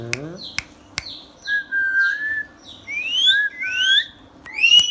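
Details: Indian pet ringneck parrot, a talking bird, kept indoors: a few sharp clicks, then a string of clear whistled notes, some held level and others sweeping upward, ending with a bright rising whistle. Quiet room hum underneath.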